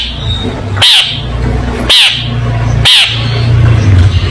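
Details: Long-tailed shrike, played as a tutor recording for young birds: three rasping, descending notes spaced about a second apart, with a low rumbling hum underneath.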